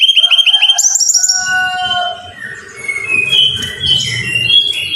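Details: Brown-chested jungle flycatcher song used as a training recording to get caged birds singing: a fast run of ringing, repeated high notes, then long clear whistles at varied pitches, with a low background rumble toward the end.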